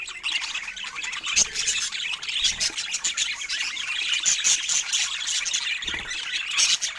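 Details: Pet budgerigars bred for rare colour mutations; a steady wash of overlapping high chirps, squeaks and scratchy warbles from several birds, with occasional soft thumps.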